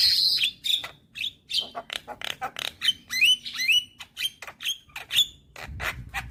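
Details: Young Javan myna in lively, head-nodding song, pouring out a steady stream of clipped, scratchy notes mixed with short upslurred whistles and a harsh rasp at the start.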